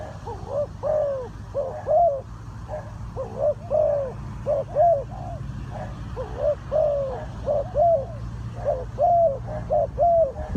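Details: Spotted doves cooing at a bird trap, a steady run of mellow, hooting coos in paired and triple phrases, several voices overlapping, low droning noise beneath.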